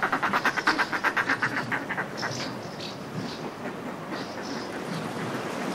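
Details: A fast, loud burst of throaty cackling from Northern fulmars displaying in groups on cliff ledges fades after two seconds, leaving higher thin chirps, likely house martins, over sea wash.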